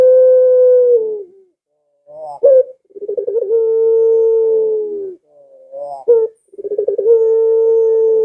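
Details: Steady low coos from a Barbary dove, each over a second long and preceded by a rapid rolling lead-in, alternating with softer rising warbled phrases and a sharp flick. The recording is meant to set pet doves calling.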